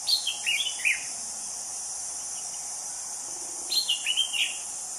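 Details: Anis cendana thrush in the wild giving two bursts of rapid, high twittering notes separated by a few seconds of quiet, with continuous insect drone behind.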